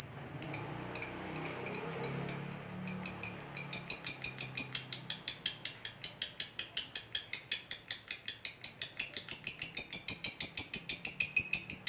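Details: Lovebird in a long ngekek, opening with a few separate high chirps, then a steady run of quick, sharp, metallic notes repeated about three times a second, growing louder.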